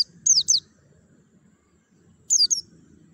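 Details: Javan white-eye, played as therapy to stimulate a bird to sing quickly with an open beak: thin, high, sharply falling whistled notes, paired near the start and again after two seconds, over a faint low rumble.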